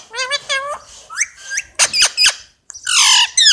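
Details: Loud chattering from a pet Indian ringneck parakeet: a quick series of rising notes, sharp clipped squawks, then a long harsh screech near the end.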